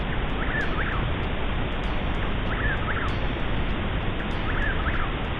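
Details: Chuck-will's-widow heard in spring during Oklahoma prairie mole cricket surveys repeats its rhythmic, whistled 'chuck-will's-widow' phrase, after which it is named, about every two seconds, faint beneath a steady roar of low rumbling noise.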